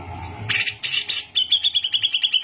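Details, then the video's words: Brown-cheeked bulbul, a gacor tutor bird, giving a few coarse broadband notes followed by a quick series of about ten sharp, evenly repeated whistled pulses. "CUCAK JENGGOT GACOR BISA BUAT MASTERAN"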